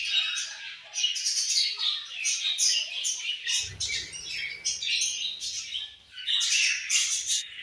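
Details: Several budgies at food and play give rapid, overlapping high chirps and scratchy chatter in short bursts, with a soft low thump in the middle.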